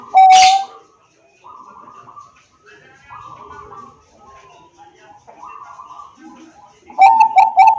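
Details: Zebra dove, Bangkok type perkutut, recorded on an Android phone in Wiradesa, Pekalongan, Central Java, to prompt other doves to sing; one sharp coo opens, soft murmuring coos follow, ending in a loud burst of rapid coos.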